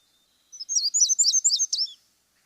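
An Indigo Bunting sings a short, high, sweet run of about a dozen quick notes, many paired, over a second and a half. The opening is soft rather than emphatic.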